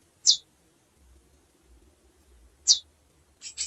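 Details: A female chestnut-bellied seed finch calls with sharp, high single chips spaced about two and a half seconds apart, the last one doubled.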